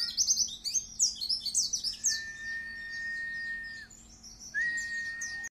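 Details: A dakun white-eye with its tail spread delivers a lively 'wit wit' bursting song, used to lure and tutor other birds. Dense, high, scratchy chirps are followed by two long flat whistles, with a low hum throughout.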